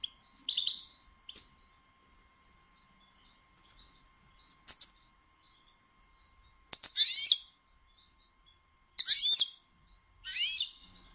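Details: Female European goldfinch giving batbata calls meant to stimulate males to sing and mate: scattered short high chirps, then bursts of buzzy, twittering notes in clusters a second or two apart, with quiet gaps between.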